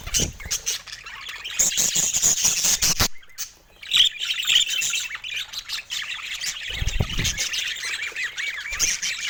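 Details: Budgies keep up lively twittering and warbled chirps, dense high chatter with brief pauses, clicks, and a few louder squawks toward the end.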